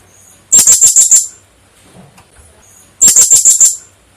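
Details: Lively female blue-crowned hanging parrot giving two quick bursts of about six sharp, very high-pitched pips each, the bursts roughly two and a half seconds apart with near silence between.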